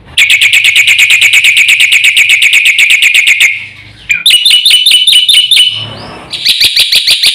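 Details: Black-winged myna (jalak putih) in energetic full-content gacor song used as a lure for other birds. Long rapid train of bright repeated notes, a pause, then choppy higher phrases and another quick series.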